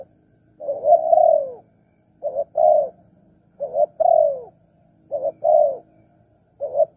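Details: Spotted dove call used to lure wild doves. Low mellow coos in repeated phrases, short double notes followed by a longer falling coo, about every one and a half seconds, with a faint steady high whine in the background.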